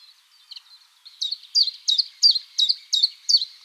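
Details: Spring forest mating song of a common chiffchaff (Phylloscopus collybita): soft, faint notes at first, then from about one second a run of loud, sharp, high notes repeated almost three times a second.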